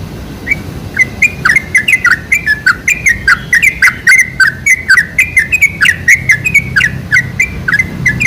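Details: Sooty-headed bulbul song meant as a lure to get bulbuls calling: a single note opens, then dense, chattering phrases of bubbly slurred whistles build and continue steadily, over light low background noise.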